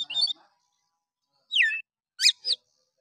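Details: Oriental magpie-robin giving rough 'nembak'-style song to provoke other magpie-robins: short scratchy phrases, a falling whistled slur after a pause, then two sharp high notes.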